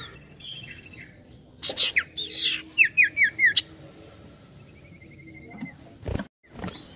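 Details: Sirtu, the ashy tailorbird, singing in gacor ngetril ngetrol manner. Harsh squawky notes lead into five rhythmic bright falling chirps, then a fine level trill, with sharp knocking sounds toward the close.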